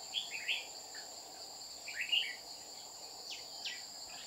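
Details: Red-whiskered bulbul near a decoy during trapping in Đồng Nai, Vietnam, on 30 July 2019, a wild bird repeatedly threatening the decoy. Mellow, bubbling warbled phrases in short bursts over a constant shrill insect hum.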